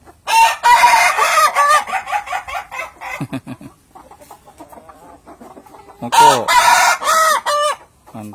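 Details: An Ayam Ketawa, the Indonesian laughing chicken breed from Sidrap, South Sulawesi, gives its long crow as a rooster, a fast run of cackling, laugh-like notes.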